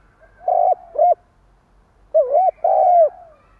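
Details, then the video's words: Decoy spotted dove giving the stuttering coo, used to rouse wild doves: two short hollow coos, a pause of about a second, then a wavering coo and a long falling one. The setting is quiet. "Tiếng chim cu gáy gù cà lăm gáy thúc gù kích bổi"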